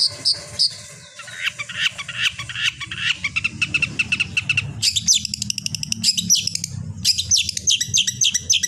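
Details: Long-tailed shrike training song intended to prompt other shrikes to sing: a scratchy, jumbled warble followed by bright rapid trills and high piping notes, with steady low hum in the background.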